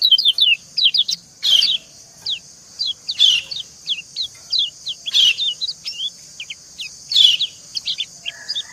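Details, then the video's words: White-eye female's plaintive calls answering a male: steady strings of sharp, high, slurred chirps, punctuated about every two seconds by a louder, harsher buzzy note. "Suara ciak kecial betina mendayu merayu jantan"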